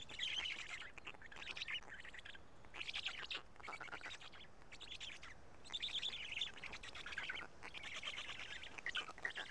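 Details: At a Karula Black stork nest on 31 May 2017, chicks eating pieces of two large fish call in hoarse, grating bursts, several loud outbursts separated by quieter stretches.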